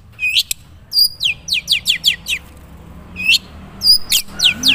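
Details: Long-tailed shrike of Madura, natural song with little mimicry: bursts of quick harsh down-slurred notes led by a hooked upswept call, repeated after a pause, soft low hum behind.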